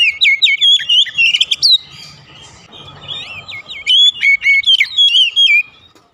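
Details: Oriental magpie-robin song serving as a lure for home-kept birds: two lively bursts of clear whistled notes, fast upslurs and downslurs, with a quieter stretch of low background noise between.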